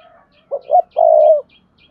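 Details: Spotted dove stimulating call to get other doves cooing: one phrase of two short notes followed by a long steady hoarse coo, with faint high chirps in the background.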